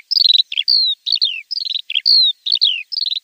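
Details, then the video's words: Javan bush lark training song for untrained birds: a repeating phrase of buzzy descending rattles, a clear down-slurred whistle and paired chirps, cycling about every one and a half seconds. "Masteran Branjangan!! // burung bahan pasti langsung respon"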